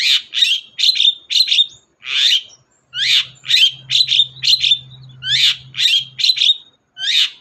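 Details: Long-tailed shrike, recorded as a lure to get a reluctant shrike calling. Dense run of buzzy, scratchy notes in clustered bursts, some ending in brief level whistles, with a low drone in the middle section.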